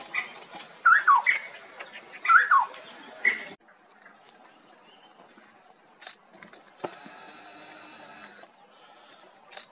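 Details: Male plum-headed parakeet at Sattal, Uttarakhand, India, in February: two sharp, descending squeaky calls in the first three seconds, then quieter background with a faint hiss.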